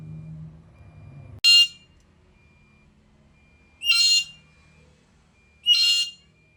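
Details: Black-capped lory in full voice, giving three separate raspy shrieks about two seconds apart after a brief low murmur at the start.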